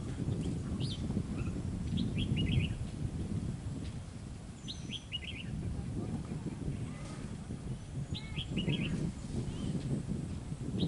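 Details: Red-whiskered bulbul, an escaped bird, giving short bright phrases of three or four rapid chirped notes, repeated every couple of seconds, against a constant low rumble of background noise.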